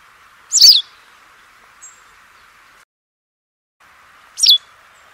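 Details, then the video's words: White wagtail (Motacilla alba), described as singing: two loud, sharp, high chirps with a quick downward sweep, about four seconds apart, over a steady low background hiss with a short silent gap. "白面白鶺鴒/White Wagtail(Motacilla alba)singing"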